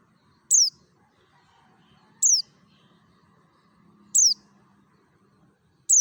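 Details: High downslurred chips from a Merapi mountain white-eye in wild 'ngalas' style, a lure recording for other white-eyes. Four notes sound roughly every two seconds. A faint low drone sits underneath.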